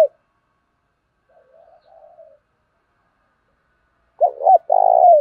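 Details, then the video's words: Spotted dove kept as a decoy to lure wild doves, singing: soft faint murmurs, then near the end a loud phrase of short clipped coos and a long rolling, slightly falling coo. No other sounds. "Chim cu gáy mồi chuẩn thúc kích bổi nhanh nổi hiệu quả"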